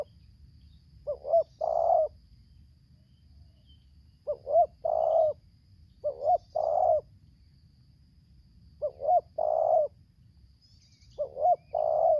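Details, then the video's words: Spotted dove decoy from Lampung facing a wild bird, singing 'tarik akar selang nguku': five evenly spaced phrases of two short rising coos ending in a long buzzy coo, roughly every two to three seconds. "Aksi Pikat vs BL Idaman suara tarik akar selang nguku"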